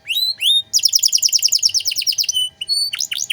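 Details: Domestic canary singing energetically in 'cengkok mewah' style, recorded to tutor other songbirds. Two rising whistles lead into a fast, dense trill of repeated chirps, ending with sharp downward sweeps.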